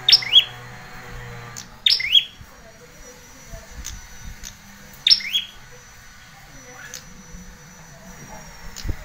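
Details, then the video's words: Bar-winged prinia lure and master recording for young speckled birds: sharp, bright downslurred chirps at high pitch in paired bursts, repeated about every one to three seconds, with faint low background hum. "pancingan masteran pikat prenjak ciblek kepala merah muda bakalan trotol"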